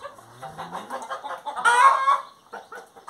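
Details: Hen giving soft low notes, then a loud drawn-out harmonic cry, followed by short clucks.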